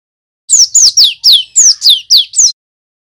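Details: A male cinereous tit kept as a lure for training young birds gives a quick run of eight piercing, downslurred whistles, evenly spaced at roughly four a second. No other sound is present.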